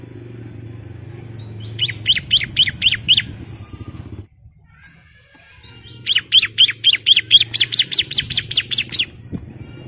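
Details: Calling female bar-winged prinia, used to draw the male: two bouts of rapid, high, descending chirps separated by a pause, the second bout longer, over a low background hum.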